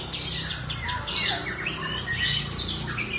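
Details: Kept lovebird in ngekek song giving harsh squawks and sliding downward squeals mixed with high chittering, louder bursts near the start and again after two seconds.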